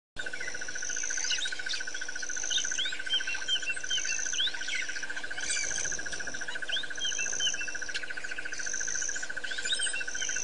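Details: White-fronted bee-eaters at Pete's Pond, Botswana, recorded 10/9/07: short squeaky rising and falling chirps scattered through the clip. A steady pulsing insect trill and a high continuous insect whine run underneath throughout.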